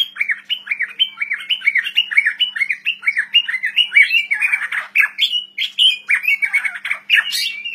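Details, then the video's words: White-rumped shama singing vigorously (gacor): a rapid run of repeated squawky, down-slurred chirps, about three per second, turning harsher and more varied toward the end, with little background sound. "murai batu gacor owor owor"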